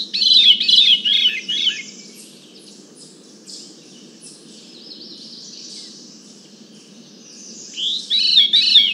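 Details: A Veery, recorded from 100 feet away, gives two breezy, flute-like phrases, each spiraling downward, separated by a pause of several seconds, over a steady low rushing background.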